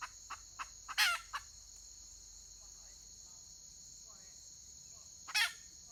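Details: Wild red junglefowl hen recorded 31 May 2023: a few soft clucks lead into a loud raspy call, then quiet before a second harsh call, all over a shrill insect background.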